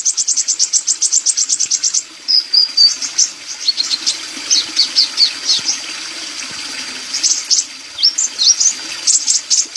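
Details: Sunbird in full lively song, used as a tutor recording for songbirds: opens with a rapid high trill of pulsed notes, then varied squeaky twitters, thin rising and falling whistles and short chattering bursts. A faint steady hiss lies beneath.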